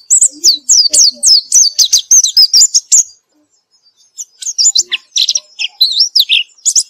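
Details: Constantly singing white-eye after therapy, in gacor form: a rapid run of high, looping, descending whistles and sharp chips, a pause of about a second, then more varied twittering notes.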